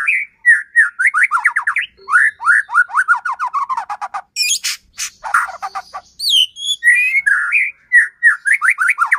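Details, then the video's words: Energetic white-rumped shama song used to rouse another shama to sing: quick series of slurred, rising and falling whistles, then a burst of harsh buzzy notes and a high squeak before the whistles resume. "Murai batu gacor AMPUH buat PANCINGAN murai batu agar bunyi JADIKAN burung murai EMOSI"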